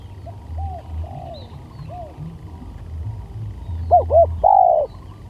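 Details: Spotted dove lure call, faint scattered soft coos at first, then near the end a clear phrase of two short coos and one long mellow coo, over a low rumbling background.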